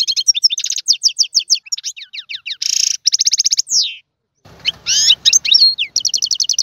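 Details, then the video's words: Goldfinch singing in the tiwawati style: rapid high twittering of repeated bright notes, buzzy rattling runs and quick rising and falling whistles, with one brief pause followed by a faint low rumble before the song resumes. "تغريد الحسون طيواواطي"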